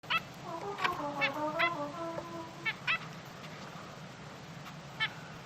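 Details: Three zebra finch chicks giving a quick burst of nasal, harmonic-rich peeping notes that step up and down, followed by a few isolated sharp clicks and short calls with quiet gaps.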